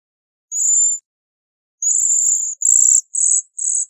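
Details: Bohemian waxwing giving high, sibilant trilled calls, one isolated note followed by a longer run of buzzy trills in quick succession, with no other sounds.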